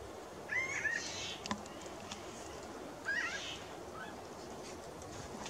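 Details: Pinyon jays visiting by the dozens, giving two short rising nasal calls, each a quick upward-slurred pair of notes, about two seconds apart over steady background noise.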